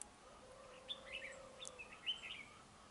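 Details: Dark-bibbed red-whiskered bulbul singing in a territorial fight at a trap. Brief clear whistles and chirpy slurred notes sound in a loose sequence above faint background hiss.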